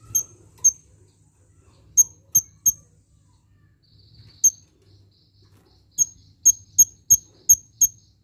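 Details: A purple-throated sunbird, recorded as a tutor recording for songbirds, gives sharp, very high tsip notes, singly and then in a quick run of six near the end, over a faint low hum.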